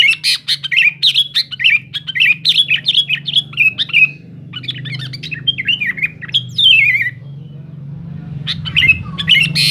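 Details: Sooty-headed bulbul, a lively noisy song meant to challenge and provoke rival birds: rapid bubbly chirped phrases, quick rising and falling notes in fast bursts, a brief pause, then more chirps, over a steady low hum.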